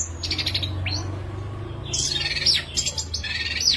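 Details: Orange-headed thrush, a songbird of Southeast Asian forests, singing in a clear, lively volume to provoke other thrushes: high whistled phrases and rapid buzzy trills with sweeping notes, over a low steady hum.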